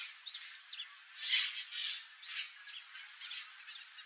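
Turquoise-fronted amazons giving two loud, harsh squawks among scattered shorter chirps and squeaky notes, as if from several birds.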